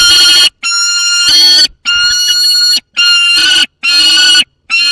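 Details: Juvenile peregrine falcon holding prey near another falcon in Poland's Barycz Valley, late August 2022. Strident drawn-out screams follow one another in quick succession, each cut off sharply before the next.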